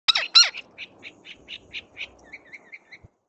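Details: Gila woodpecker at a feeder calls: two harsh, raspy notes, then a quick run of about a dozen short, high yips that fade and drop slightly in pitch.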